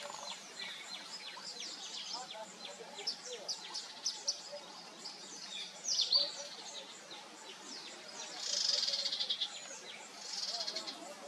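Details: Several sunbirds of a family group calling together, a busy stream of very high, thin chirps and quick downward-sliding notes, punctuated by a few louder buzzy trills.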